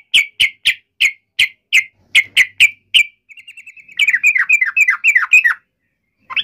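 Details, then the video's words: Agitated fighting call of a yellow-vented bulbul, played to make other bulbuls reply: evenly spaced sharp chirps, then a soft rapid trill, breaking into a jumbled burst of bubbly, descending notes before silence. "trucukan gacor CUK EMOSI NGALAS TARUNG ROPEL ini MENJADIKAN agar burung trucuk gacor NYAUT SEKETIKA"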